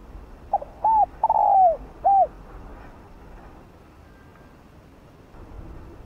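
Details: Spotted dove decoy cooing to lure others, one phrase of a short note, an arched coo, a long rough falling coo and a final rounded coo, followed by several seconds of near silence with faint hum.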